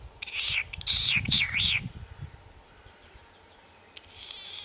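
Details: Latham's snipe, handheld recording from 28 May 2020: a burst of loud, harsh, wavering rasping notes in the first two seconds, then near-quiet low rumble and a faint buzzy note at the end.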